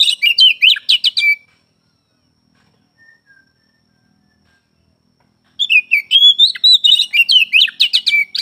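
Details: Oriental magpie-robin, reported singing through morning, afternoon and night: two bursts of fast, varied whistles and chattering notes, about four per second, separated by roughly four seconds of near silence.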